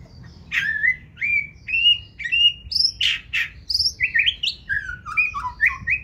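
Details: A white-rumped shama kept in a cage, 2024 season, sings forest-voice song nonstop: evenly spaced whistled syllables, two harsh rattling notes mid-way, then a descending cascade of sweet varied whistles.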